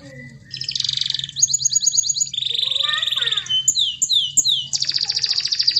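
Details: Canary song for provoking silent or merely chirping canaries: rapid high rattling trills switch to a lower buzzy roll, then a few swooping whistles and another fast high trill, all in quick succession.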